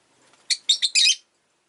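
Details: Rosy-faced lovebird letting out a quick burst of four harsh, high chirps, the last one drawn out into a scratchy, buzzy squeal.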